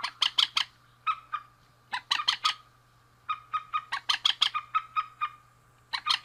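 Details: Male and female rails calling: bursts of rapid, harsh clucking notes with a steady ringing tone underneath, given in uneven groups over about six seconds, with a constant low electrical hum throughout.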